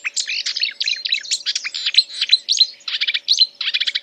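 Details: Mimicking song of a marsh warbler: dense, chattering jumble of short high notes, buzzy bursts and brief trills, tumbling on without pause, with a low faint hum.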